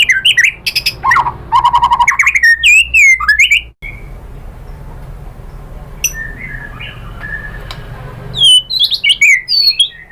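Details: White-rumped shama lure song for provoking rival birds to sing: a burst of fast chattering and whistled phrases, a quieter pause with faint distant notes over background hiss, then loud varied whistling resumes.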